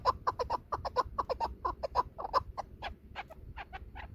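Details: Chukar partridge calling in excitement, a voice used by hunters to lure birds. The call is a rapid run of about twenty throaty clucking notes that are steady at first, then spread out, turn thinner and fade toward the end.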